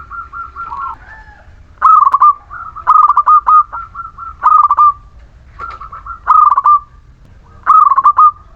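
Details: Vigorous local Muria zebra dove song, used as a lure for doves that refuse to sing or lack breeding drive. Soft pulsed introductory coos lead into loud rattling bursts, with about five phrases in quick succession.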